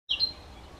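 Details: On 14 April 2023, a great tit gives one brief, high, thin note that slides slightly downward, followed by quiet background hiss.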